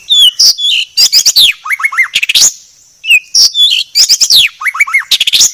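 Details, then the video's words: Clear training recording of a white-rumped shama. Dense loud phrases mix sharp chips, fluty whistled notes and a triplet of rising slurs. They repeat after a brief pause. "Masteran Murai Batu Paling Jernih"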